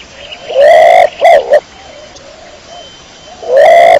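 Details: Pigeon heard cleanly, giving a rising sustained hooting note and then two brief notes, with a second rising note starting after a long pause.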